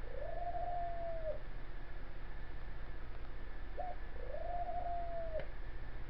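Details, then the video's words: A rescued pet dove in a porch cage after breakfast gives low, drawn-out coos, each a smooth level tone about a second long, with a short note between, over steady background hiss; recorded in June. "Dove Cooing"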